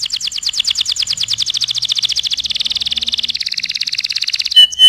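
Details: A canary sings a tutor song for other birds: one sustained, very fast rolling trill lasting over four seconds, pitch easing downward partway through, ending with a short loud whistle.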